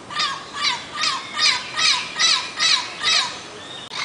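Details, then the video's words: Turquoise-fronted amazon giving a steady run of harsh, raspy squawks, about two each second, each with a slightly falling, nasal edge; nothing else is heard. "O Canto do pássaro Papagaio verdadeiro"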